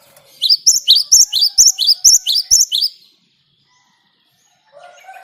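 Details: Great tit singing a quick ngerol phrase of about ten high, bright doubled notes, then silence and a lower tonal sound at the end; recorded as a lure to get other birds singing.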